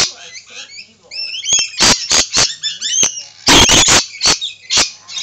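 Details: Lorikeets calling: short whistled chirps give way to a series of loud, harsh, broadband screeches, some in quick doubled bursts, with brief quiet gaps between them.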